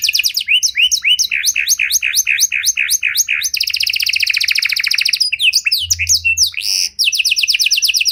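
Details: Panda canary in rich cengkok song, meant to lure and train other canaries: evenly spaced sweeping chirps give way to a dense buzzy trill, more sharp chirps, then another fast rolling trill.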